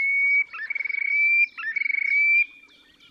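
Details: Terek sandpiper display in the Oka Nature Reserve, Russia, spring 2019: sustained clear high whistles broken by fast rattling trills, two trilled bursts within three seconds, then fading to faint background calls.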